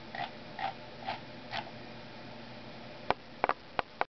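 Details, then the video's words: An indoor pet parrotlet, a female, imitating a scrolling mouse: four soft rhythmic clicking notes about half a second apart, then a pause, followed by several sharper, louder clicks near the end. "Parrotlet: Yoda Mimics Scrolling Mouse Sound"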